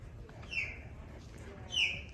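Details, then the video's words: Two thin, high squealing notes about a second apart, each slightly falling, from bald eagles at a Central Florida raptor rehabilitation sanctuary near Maitland, over low rumble; the eagles are heard nearby, and the visitor guesses they may want lunch. "Can you hear the bald eagles?"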